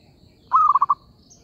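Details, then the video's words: Single zebra dove coo, used as a trapping lure: a smooth held note running into four fast rhythmic pulses, lasting half a second, with faint high hiss around it. "B.ẩy cu vằn p2"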